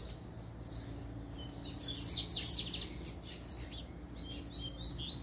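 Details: Puxada song from a double-collared seedeater, a continuous string of fast, high-pitched chirps and sharp slurred notes, peaking near the middle, over a low constant hum.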